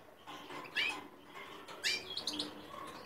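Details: Goldfinch x linnet hybrid from 2017 giving brief bright chirps and short twittered phrases, with sharp high notes near the start and middle and a thin whistle at the end, over quiet background hiss.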